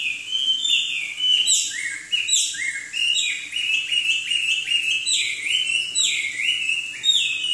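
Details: Chinese hwamei (Garrulax canorus), a kept songbird from southern China whose males sing and mimic other birds: a continuous, loud run of rich, varied, high fluty whistled phrases with quick slurred notes rising and falling; nothing else heard.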